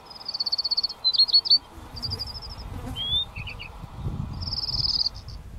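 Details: Adult Chestnut-breasted Whiteface, preening, on the Strzelecki Track on 14 September 2013: high, thin, rapid trills and short twittering notes, each burst about a second long, over a soft low rumble of wind.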